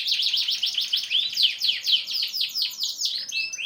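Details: Canary singing a fast, continuous run of high chirps and trills, about four notes per second, with sweeping whistled slides and dense buzzy phrases, clear and loud with no other sounds.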